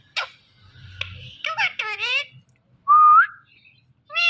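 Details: Talking rose-ringed parakeet in a home: a short, sharp click and chatter lead into two nasal, wavering speech-like syllables, then a clear rising whistle and the start of another nasal call.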